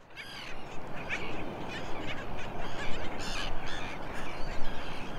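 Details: Black Skimmer family at Nickerson Beach, Long Island, New York, USA, with a chick just a few days old being fed by its parent; harsh, nasal, barking calls come in irregular bursts over a steady hiss of wind and surf.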